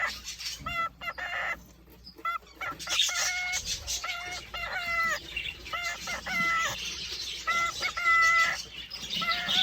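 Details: Caged male cockatiel courting a female, whistling a series of harmonic, rising-and-falling whistled phrases repeated many times, with short noisy bursts and some crackle between notes.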